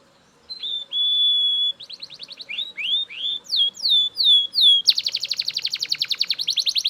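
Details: Belgian canary singing loudly: a long steady whistled note, then rising and falling slurred notes, sharp downward sweeps, and a fast rattling trill to the end.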